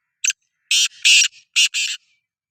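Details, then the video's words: Rasping call of a Sindhi black francolin (kala teetar): a short opening note, then two pairs of loud, harsh, hissing-buzzy notes with a soft grating note between, heard against silence. "Kala Teetar Voice | Black Frankoline Voice | Sindhi Kala Teetar Voice کالا تیتر کی بولائی"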